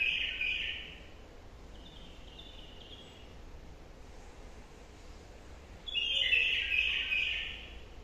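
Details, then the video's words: A wild-caught caged bulbul sings short bursts of rich, warbling notes, a phrase at the start, a softer one mid-way and a louder run near the end, over a steady low hum. "بلبل مخلف عطور بلبل وحشي جديد واحلى نغمات"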